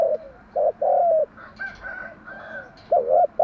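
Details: Spotted dove giving its patterned morning coo for lure training: low coos run into a long steady note, with higher whistles of other birds in the gap, then a fresh double coo.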